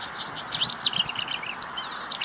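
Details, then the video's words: Marsh warbler song, a species famed for mimicry: a quick jumble of thin high notes, short whistles and a buzzy trill over a steady background hiss. "VARIASI KICAU MARSH WARBLER"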